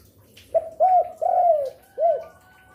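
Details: Spotted dove, a lively singer calling through midday, afternoon and night, used as a lure for other doves: one phrase of four coos, a short note, two arched coos and a long falling coo, with faint chirps from other birds.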